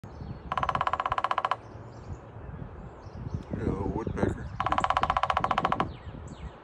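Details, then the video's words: A red-headed woodpecker gives two fast, even bursts of about twenty rapid strikes each, rattling like a machine gun, with faint rustling and a muffled voice between them. "Woodpecker Sounds Like A Machine Gun"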